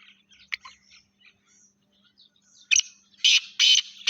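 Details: Harsh, loud calls of a Sindhi Laka Gangas cross teetar, three strong grating bursts in the final seconds, preceded by quieter chirps of other birds over a faint steady hum.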